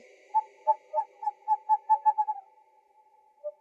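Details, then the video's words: An owl gives a quick run of about ten clear, mellow hooted notes that speed up slightly, then one lower hoot after a short pause; the sound is offered for scaring rats. "Owl Sounds"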